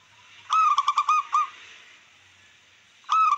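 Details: Wild-type local zebra dove song for stimulating rival birds and breeding drive: a run of rhythmic, bouncing coos, then a pause before another phrase begins.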